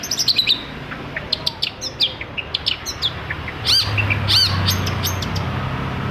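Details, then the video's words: Long-tailed shrike song for prompting other shrikes to sing: rapid trills and twittering chirps, then looping arched whistled notes, while a low droning hum rises in the second half. "TOETAN BURUNG CENDET INI COCOK BANGET UNTUK MENAIKKAN EMOS1 CENDET YANG MACET AGAR MAU BUNYI"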